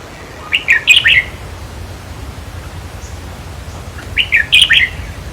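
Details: Red-whiskered bulbul song used in decoy trapping and played to stir up caged birds: two bright, chirpy phrases of four or five quick warbled notes, repeated about every three and a half seconds over a quiet background.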